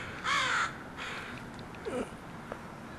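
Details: One loud, hoarse caw from a crow in a group landing at a house, followed by faint distant calls and a brief squeaky note.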